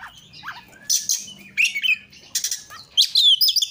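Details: Oriental magpie-robin (kacer), a lure recording meant to make other kacer sing actively, delivering bursts of high, sharp chirps and short rising whistles in quick irregular clusters with brief pauses between them.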